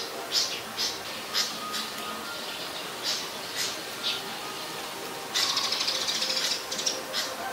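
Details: Malaysian pied fantail recorded on 25 November 2019 in Ubon Ratchathani, Thailand, where it is a very common resident; a run of sharp high chips, then a brief, denser burst of twittering notes.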